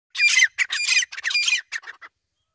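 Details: Iranian francolin (teetar) gives a quick run of harsh, scratchy squawks, about five grating, high-pitched, rasping notes in two seconds, with nothing else audible.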